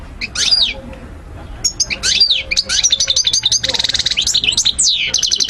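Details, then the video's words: Goldfinch song used to train young birds: an opening sweeping whistle, a pause, then rapid tinkling twitters, a dense buzzy rattle and fast repeated chirping notes. "مقنين ملك 👑 تغريد 💯 الطيور 2023🔥💥 تسميع وتحفيز تحفيظ"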